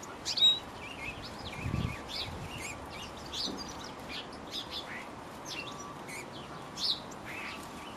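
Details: European goldfinches in a garden in Cornwall, recorded on 14 February 2012; bright, high twittering chirps and short tinkling notes scattered through the recording over a low background hum, with one soft low thump.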